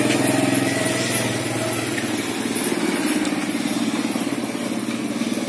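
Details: A steady, throbbing engine idles under broad background noise, with no animal voice standing out.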